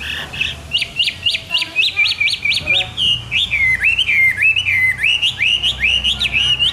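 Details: Morning hwamei song: a run of sharp, evenly repeated upslurred whistles, then a looser series of loud, swooping and rising whistled phrases.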